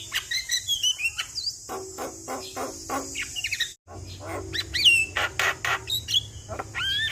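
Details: Javan myna singing continuously, used to coax a stressed bird: quick whistled slurs and rasping chatter, a brief silent break midway, then more rising whistles over a steady high hiss.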